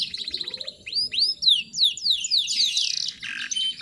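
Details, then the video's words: Lure track of a young female canary in breeding mood calling to attract males, mixed with Bar-winged Prinia material: a quick buzzy trill gives way to loud, high curved chirps, then a dense rattling burst. "PANCINGAN KENARI BAHAN FULL ISIAN SUPER ISTIMEWA"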